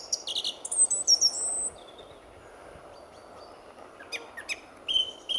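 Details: Song thrush at RSPB Fowlmere, early February morning as the sun was about to rise: a burst of high, squeaky and trilled notes, a long quiet stretch, then a few sharp chirps and a short whistle.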